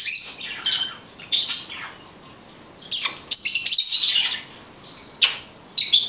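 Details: Blue-headed conure, a pet parrot, talking: scattered short harsh chirps and raspy syllables separated by brief pauses, high-pitched throughout, with no other sounds.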